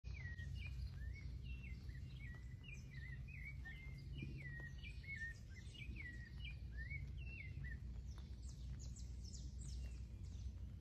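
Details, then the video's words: A sabiá thrush sings on a rainy day, a steady run of short, clear whistled notes that swoop up and down, under a constant low rumble of rain and background noise. "SABIÁ CANTANDO"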